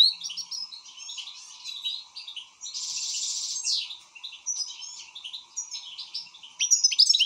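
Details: An excited goldfinch twitters in jumbled fast notes, with a dense buzzy rattle midway and sharp high chips at the end; faint continuous hum behind.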